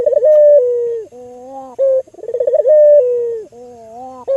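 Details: Melodious coo from an albino Barbary dove used to lure other doves into calling: a falling sustained tone, then a faint low hum, a brief note and a stuttering trill that builds into another long coo.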